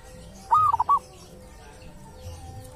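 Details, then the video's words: Single song phrase of a local wild zebra dove at a sacred tomb, prized for its distinctive voice: a looping cooed note followed by three quick bubbling coos, then quiet with faint low hum. "perkutut lokal dari MAKAM KERAMAT ‼️punya suara cirihas tersendiri"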